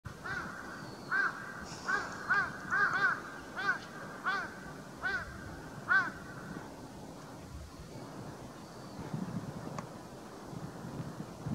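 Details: Male Bull-headed shrike recorded on 12 December 2016, giving harsh, grating calls in short bursts repeated roughly every half second for about six seconds, then falling quiet against faint background hiss.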